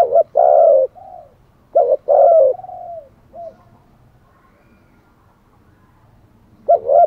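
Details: Decoy spotted dove cooing to entice wild birds: two strong phrases of a brief coo then a long swelling coo with a falling tail, a pause of several seconds, then another phrase beginning.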